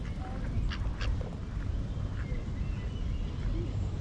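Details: A Mallard in a riverside park in central Halmstad, Sweden, gives a few short, harsh quacks, two close together then softer ones, over a steady low rumble of wind and traffic.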